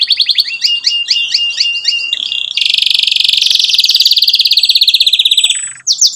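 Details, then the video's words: Canary lure song for young canaries learning to sing: repeated chirping phrases followed by a long, loud, fast buzzing trill and a few brief closing notes. "KENARI GACOR cuit cuit NEMBAK PANJANG, pancingann kenari paud belajar bunyi"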